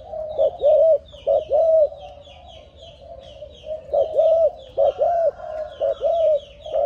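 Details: Malaysian spotted dove, a 7-month-old young bird bred from a stammering-style decoy dove, giving low cooing phrases in two bursts of three to four hollow, arching notes separated by a pause, over steady high twittering from other small birds.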